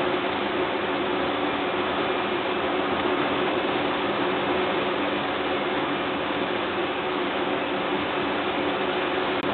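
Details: Constant even broadband hiss with a low hum runs throughout, with no animal calls heard.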